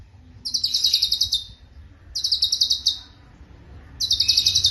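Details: Cucak cungkok, valued as a vocal tutor for other songbirds, singing three clear bursts of rapid, high trilled notes, each about a second long, spaced by pauses of one to two seconds.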